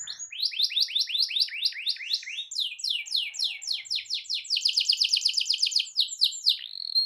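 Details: Canary delivering a long rolling song intended to make other canaries sing: evenly repeated swooping notes, quickening into a fast, high, continuous trill that ends on a held whistle.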